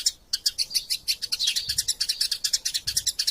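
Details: Eurasian tree sparrows fighting, used as master sound for training magpie-robins: a dense, fast run of sharp high chirps and twitters, several notes per second with brief gaps, no other clear sounds.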